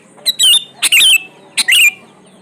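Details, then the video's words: Sooty-headed bulbul calls used as a lure for birds that seldom sing. Three loud, bright, warbling phrases come about half a second apart, each opening with a short sharp note and wavering downward. "SUARA PANCINGAN BURUNG KUTILANG GACOR ISIAN COCOK BUAT KUTILANG MALAS BUNYI"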